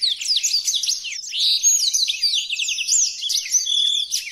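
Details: Blackthroat singing a rapid, dense warble of high chirps and slurred whistles. A brief buzzy trill appears midway. The song runs without pause and is recorded for training other birds to sing.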